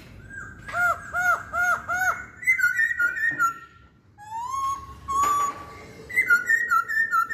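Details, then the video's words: Chinese hwamei singing varied whistles: a run of looping warbled notes, then level whistles, a long rising whistle, and fluttering repeated phrases with short pauses between bursts. "Kicauan Poksay Hongkong"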